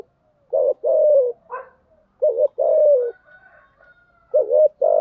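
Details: Spotted dove lure calls, 'thúc gù' and 'gáy gọi' styles, used to prompt other doves to call. Three deep coo phrases, each a brief warbled pair then a long sliding note, with a faint squeaky note between the first two.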